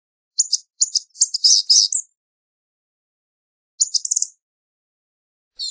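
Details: High-pitched, wheezy jumble of short notes from a Blue-gray gnatcatcher, a run of quick chirps building into a scratchy burst, then a brief trill and another starting at the end.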